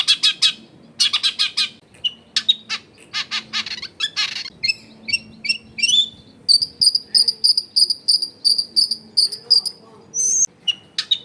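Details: Long-tailed shrike song used as a lure to make other shrikes sing: rapid bursts of harsh broadband notes, then a steady run of clear whistled double notes repeated about twice a second, with a low household hum beneath.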